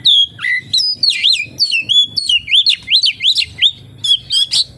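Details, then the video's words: Oriental magpie-robin in full song with mimicked phrases, a long run of loud whistled and slurred notes swooping between high and mid pitch, delivered in quick bursts with short pauses, low thumping background noise throughout. "SUARA BURUNG KACER, FULL ISIAN KAPASTEMBAK"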